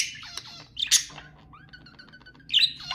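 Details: Pet budgerigar sounds for song stimulation: two harsh squawks, a short pulsed ticking trill, then another loud squeak.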